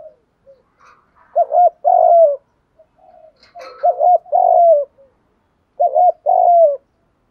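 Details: Cooing of a spotted dove used as a decoy to draw in wild doves. It is a low, mellow phrase of two short bent notes followed by a longer drawn-out coo, repeated three times at steady intervals, with faint soft chatter between.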